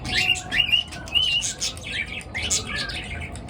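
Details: Birds, apparently pets, chirping in the morning; rapid repeated short whistled chirps with wavering notes, several overlapping voices, over a low steady hum.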